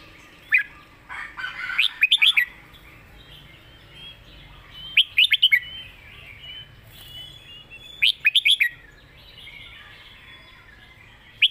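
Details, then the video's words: Caged red-whiskered bulbul kept for singing contests delivers its master-pattern song: short clusters of rapid, sweet whistled notes repeated roughly every three seconds, with softer twittering from other birds filling the gaps. "เสียงดี''สำนวนชัด เพลงแม่บท/นกแข่ง#เสียงนกกรงหัวจุก"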